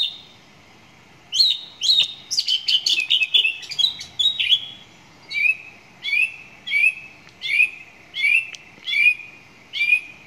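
A song thrush opens with a rapid burst of varied chirps, then repeats one clear, slurred phrase about seven times at a brisk, steady pace; the background is quiet.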